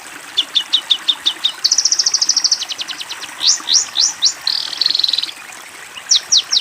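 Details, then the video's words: Long-tailed shrike master song, used to train young birds: a run of quick, sharp, repeated notes, then a fast buzzy trill, several slurred upswept whistles, a second dense trill and a few final sharp notes. "MASTERAN BURUNG CENDET COCOK UNTUK CENDET TROTOL / ANAKAN ANDA"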